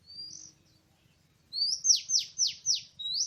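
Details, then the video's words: Oriental magpie-robin singing in a forest on 24 March 2017 during bird trapping: a thin high whistle, a pause, then a quick run of five loud whistles that rise then swoop sharply down, ending on a rising note. "Birds Trapping Oriental Magpie-Robin:Chirping In The Exciting Wild"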